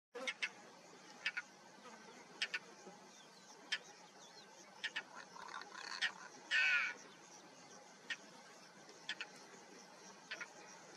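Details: European roller calling in May 2022 in the Jezreel Valley, Israel: scattered short dry clicking notes, then one louder harsh rasping burst about two-thirds through, over a steady faint background hiss.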